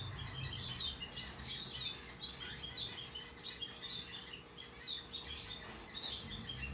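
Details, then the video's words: Hand-reared, tame rosy-faced lovebird chick, white-face Australian cinnamon, April 3 2022: about six high, piercing chirps that slide downward, roughly one a second, against a constant low electrical hum. "コザクラインコ ホワイトフェイスオーストラリアンシナモン ヒナ 手乗り"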